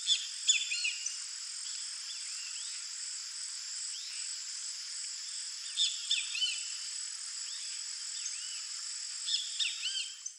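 White-faced Whistling Ducks give clear, sweet whistles in short bursts of several notes at the start, middle and end, over a constant high-pitched hiss.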